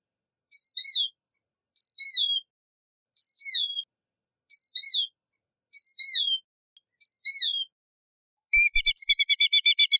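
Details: Killdeer calling: six loud, high, drawn-out descending cries spaced about every 1.3 seconds, then a rapid trilled rattle of fast repeated notes at the end; no other sounds.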